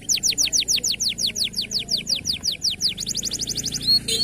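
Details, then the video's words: Local canary in full song: a long run of steep downward-slurred high notes, about four a second, then a quicker tighter trill and a few sharp whistled tones at the end. "Masteran Burung Kenari Lokal Agar Dapat Berbunyi Dan Gacor"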